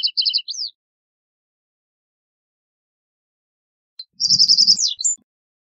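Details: Two reed bunting song phrases separated by silence. Each is a quick series of high clipped notes running into a rattled trill with a slurred ending. Soft low rumbling sits under the second phrase.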